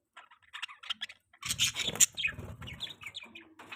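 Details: Pet budgerigar during mating, chirping: rapid scratchy chattering and squeaky warbled notes in quick irregular bursts, with soft low rustling beneath.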